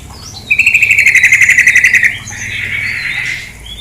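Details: Rapid rattling trill from a female sooty-headed bulbul, evenly pulsed and steady in pitch for about one and a half seconds, then a softer hissing trail, with running water murmuring in the background.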